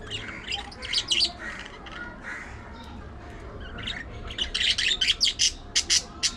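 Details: Budgerigars at play, fighting and grooming: dense harsh squawks and chirping chatter, sparse at first then a rapid run of loud bursts toward the end, over steady background noise.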